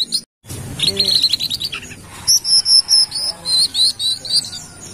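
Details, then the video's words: Brown-throated sunbird from Kalimantan in energetic wiceh song used as a lure: a buzzy high trill, then a steady sequence of loud, thin, slightly rising whistled notes repeated several times per second. "Kolibri Wiceh Gacor / Pancingan Burung Manggar Kelapa"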